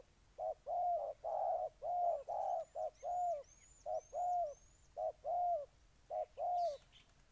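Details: Spotted dove in Ninh Thuận, Vietnam, cooing in a steady run of about a dozen soft hollow notes, short and longer ones alternating roughly once per second. A series of faint, high, slurred whistles runs through the middle.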